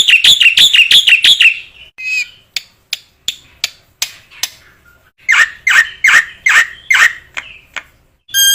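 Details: Black-winged myna singing, intended to prompt other mynas: a fast volley of ringing notes, scattered sharp clicks, then a handful of loud, harsh calls.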